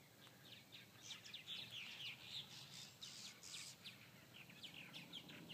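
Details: Several purple martins chattering after repeated hawk attacks, a dense stream of quick high chirps and twitters, about four a second, over faint rumbling background noise.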